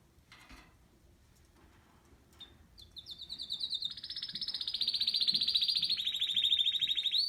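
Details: Male canary calling to his female, recorded in 2018: a quiet start, then a long, high rolling trill that grows louder and holds steadily to the end.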